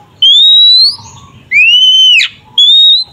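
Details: Oriental magpie-robin 'tarung ngeplong' song used as bait to anger a rival: three long, loud, pure whistles, the first level, the middle one rising then breaking into a harsh ending, the last steady.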